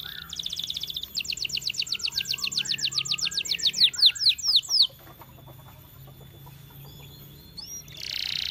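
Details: Canary training song: a short buzzy trill, then a long quick trill of sweeping notes slowing to separate descending whistles, a pause with a faint held tone, and a final buzzy burst.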